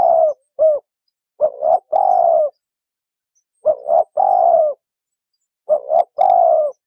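A dove coos in low, soft phrases: a short hiccuping double note, then a longer drawn-out coo, repeated three times in a quiet setting.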